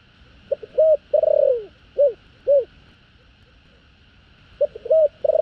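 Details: A spotted dove gives its field-style 'thổ đồng' call to rouse wild doves: soft clipped notes lead to a drawn-out sinking coo and two separate short coos, then the phrase starts again; soft hum throughout.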